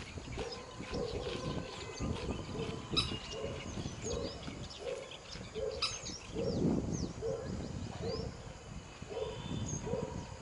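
Western swamphen giving a steady series of short, nasal, mid-pitched honks, roughly two per second, with small birds chirping and a soft outdoor hiss behind.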